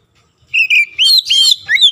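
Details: Oriental magpie-robin song used to stir other magpie-robins into singing: a loud run of clear whistles, two level notes then warbling, rising and falling phrases with rich overtones, ending in a down-slurred whistle, in quiet surroundings.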